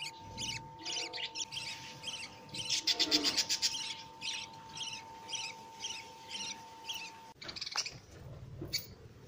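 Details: Begging of newborn lovebird chicks fed by the mother bird, a fast series of thin high chirps, roughly four per second, peaking in a dense loud run, then a sharp knock and quieter cheeps.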